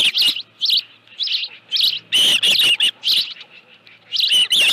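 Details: Osprey calling at the nest with a live fish on 25 July 2018, late afternoon at 5:23 PM; loud shrill whistled chirps in short bursts separated by brief pauses, some notes run together into excited strings.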